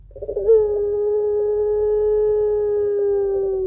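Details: Puter pelung dove with a long crying coo suited to luring doves at home: a short rough onset, then one pure low note held steady for over three seconds.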